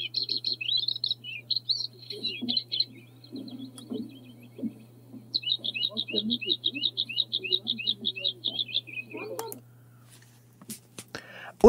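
A bluethroat sings a varied run of high chirps, then a fast series of repeated, sharply rising notes, over a steady low hum and a man speaking in the background.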